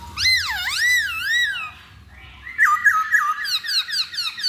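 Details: Masked laughingthrush, used as a lure recording: loud, clear whistles that swoop up and down in wavering loops, a short pause, then a quick run of bright repeated rising notes.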